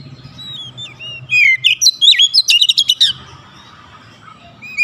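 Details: Oriental magpie-robin lure song for getting a mute bird to sing: soft whistles swell into loud slurred notes and a quick string of scratchy chips, then fade back to a low background hum.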